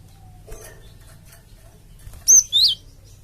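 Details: Java sparrow lure call, aimed at making a flock respond: after near silence, two loud high notes, a ringing whistle then a downward-sliding chirp.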